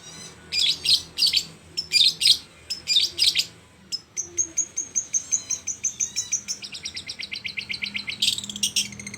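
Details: Long-tailed shrike in vigorous song imitating a lovebird: bursts of shrill noisy chirps in clusters, then a fast regular series of high sharp notes, over a low background hum.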